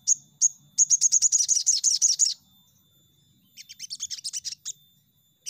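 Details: Ruby-cheeked sunbird played as a lure to provoke other birds into singing: rapid bursts of very high, thin chirps in quick runs, a long fast series followed by a pause and a second shorter run.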